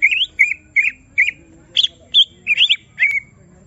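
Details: Caged greater green leafbird stirred up to deliver its full song: short, clear whistled notes and rising chirps, evenly spaced about every half second.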